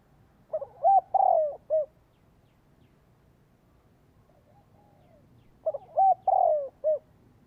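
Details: Spotted dove lure call to attract birds and rouse captive doves into cooing: two matching phrases about five seconds apart, each of quick short notes, a long sliding coo and a clipped closing hoot.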